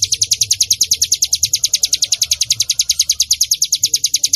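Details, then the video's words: Bar-winged prinia (cigun, ciblek gunung) lure recording for training other birds: high, clipped chirps repeated quickly and evenly in a continuous series, with a soft low background hum. "masteran burung cigun yang paling di cari buat pancingan cigun / ciblek gunung bunyi"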